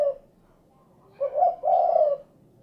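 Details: Spotted dove (derkuku) giving one low phrase: a short rising note then a longer mellow coo, after a brief tail of an earlier call.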